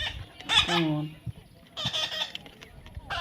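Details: Baby parrot being hand-tamed, one harsh squawk followed by a softer scratchy call a second later, while a person keeps saying "come on" in the background.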